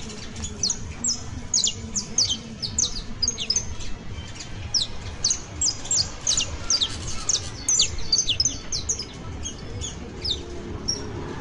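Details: Saffron finch, known as canario basto, delivering a long professional song: steady stream of thin, high down-slurred chips packed closely over eleven seconds, over light background noise.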